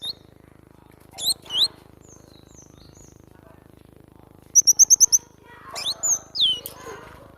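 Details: Vigorous song of the cinereous tit (glatik batu): paired falling whistles, then a rapid even run of five high piping notes, then a few looser whistles over a soft rustle.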